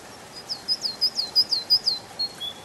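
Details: Canary song in a spring forest, a rhythmic run of about ten sharp, high, down-slurred notes delivered several times per second, ending in two drawn-out thin whistles.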